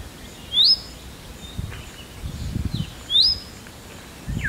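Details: Indian robin calling, two sharp rising whistled notes about two and a half seconds apart, each sweeping upward then held briefly, with faint softer notes between and low rustling background noise.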